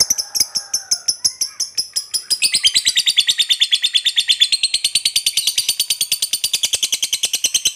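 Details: Lovebird long ngekek trill, a lure to set other lovebirds singing: starts with sharp separate clicks, then after two seconds builds into a loud, fast, continuous shrill chattering trill of about three pulses per second.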